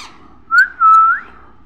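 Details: Baby parrot voice: a brief whistled note followed by a longer level whistle that rises at the end, clear over a quiet background.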